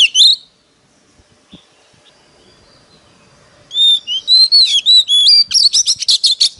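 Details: Oriental magpie-robin decoy bird in competitive singing, used to lure wild birds: a short bright whistled burst, about three seconds of quiet, then a quick run of clear, varied, high whistled and slurred notes with brief gaps between phrases.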